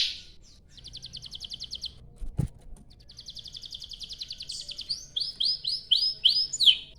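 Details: Canary song for baiting other canaries into song: a fast buzzy trill, a sharp click, another long rolling trill, then loud rising-falling whistled sweeps at the end over faint background hum.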